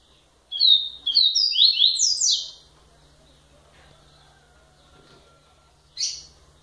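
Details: A double-collared seedeater delivers a quick run of high, down-slurred whistled notes climbing in pitch, then falls silent before a single short, buzzy chip near the end.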